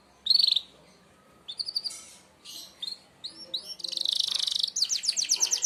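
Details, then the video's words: Merlok canary sharp shot song for mastering birds: scattered high whistled phrases with pauses between them, then a dense buzzy trill and quick rattling notes toward the end. "tembakan tajam kenari merlok, sangat ampuh buat pemasteran burung anda"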